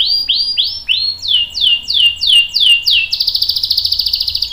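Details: Domestic canary in full long-roll song, used to lure and train young and adult canaries: a series of descending slurred notes followed by a fast, rattling trill.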